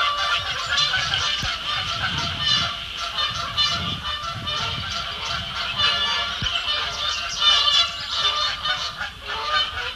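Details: Canada geese quarrelling near Bubbler Island, Sapsucker Woods Pond, Ithaca, New York, 12 May 2017, one bird wearing a neck tag; dense braying honks overlap continuously, swelling loudest near the end.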